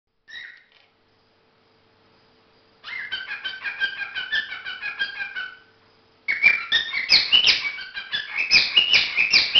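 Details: Pet cockatiel courting: a brief chirp, then long runs of rapid warbling, chattering notes with squeaky whistled rises, growing louder and busier toward the end.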